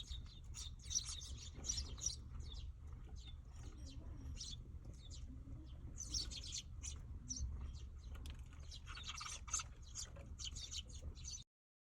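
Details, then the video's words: Young sparrows gathered at a feeding spot: dense bursts of high, scratchy chirps and twitters, overlapping in clusters with brief pauses, over a steady low hum. "아기 참새들 사이 소문난 방앗간"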